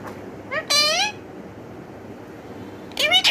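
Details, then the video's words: Pet talking parrot giving drawn-out harmonic cries that sweep upward, a short one, then a longer louder one, then another after a pause of nearly two seconds, over a quiet indoor background. "My talking Bird"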